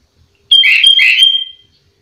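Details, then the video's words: Full-isian song of a sooty-headed bulbul, recorded as a master for tutoring other bulbuls. One loud phrase lasts about a second: two rich, warbled notes over a sustained clear whistle that fades out. "Kutilang gacor full isian"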